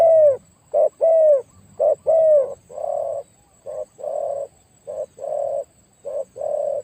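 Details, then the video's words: Spotted dove used as a decoy bird, described as having a very big voice. It gives deep, mellow coos in pairs, a short note followed by a longer drawn-out one, repeated about once a second. "ต่อนกเขาใหญ่เจ้าสุดสาครแต้มที่ 49เฉลยเสียงใหญ่มาก"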